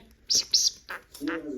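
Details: A pet budgerigar chatters Russian phrases like "let's go dig potatoes" and "you're my sweet bird" in hissy, high-pitched syllables in quick bursts.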